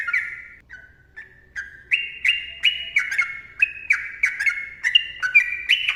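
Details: A yellow-vented bulbul sings a long tutor and lure song. A few softer slurred notes start it, then it builds into fast, ringing, chattering whistles repeated in tight succession. The setting is otherwise quiet.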